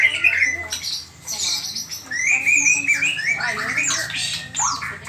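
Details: White-rumped shama (murai batu) singing a varied run of clear, sliding whistled phrases, some rising and some falling, with quick chips between them and a faint steady low hum behind.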